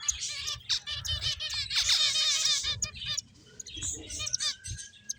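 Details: Several finches at play give dense, rapid high chirps and buzzy trills, overlapping in bursts with brief pauses and some soft low thumping beneath.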